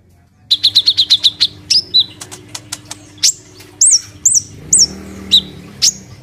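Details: Caged kolibri ninja sunbird singing loudly three days after being moved to a new cage: a rapid high trill of repeated notes, then sharp descending chirps and looping whistled phrases, with a faint steady low hum behind.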